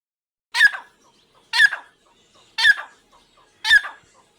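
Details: A pair of Irani teetar (partridges) calling: loud, harsh, burry notes with a rough broadband quality, one roughly every second, four in all, over a quiet background.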